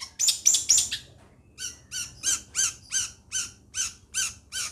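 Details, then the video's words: Long-tailed shrike from Situbondo: a few fast harsh chatters, a pause, then a steady series of nasal, downward-bending notes repeated about twice a second. "LANGSUNG TERPIKAT Dengan Burung CENDET Seperti ini"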